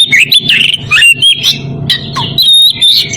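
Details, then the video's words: Oriental magpie-robin in breeding condition calls to a rival with clear, sweet whistled notes that slide up and down, broken by short harsh rasping bursts in a lively varied sequence. "Kacer birahi memanggil lawan"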